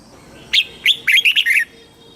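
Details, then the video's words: Red-whiskered bulbul singing a southern master-style phrase, used to stimulate caged birds and teach chicks: a lone sharp note, a pause, then a rapid run of five sweet, warbled notes. "เสียงนกกรงหัวจุก สำหรับต่อ หรือ เปิดให้นกคึก"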